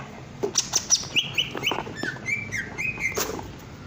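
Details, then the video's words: Greater green leafbird in breeding condition singing clear, mid-pitched whistled notes, some slurred downward and others held flat, delivered in quick pairs with a few thin high chips, over a steady background hiss. "Cucak Ijo Gembung Birahi"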